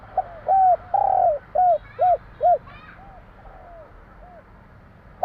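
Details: Javanese spotted dove, 'kuk 3' style: a quick series of deep, arched coos, one of them long and drawn out, then softer trailing coos. Faint chirps from small birds are heard above.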